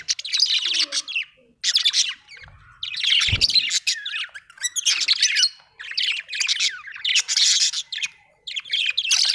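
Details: Budgerigar chatter: dense, scratchy warbling in long runs of rapid squeaks and chirps, broken by brief pauses, with one low thump partway through.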